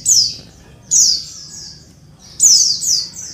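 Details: High, squeaky female Oriental white-eye calls used to stir males into singing: three bursts of quick descending chirps, each burst trailing into softer echoing notes.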